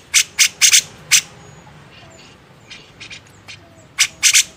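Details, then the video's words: Grey-cheeked bulbul master recording for training songbirds: short, harsh, broadband rasping bursts, a quick cluster of four, then a pause with faint softer notes, then three more loud rasps near the end. "masteran burung cucak jenggot"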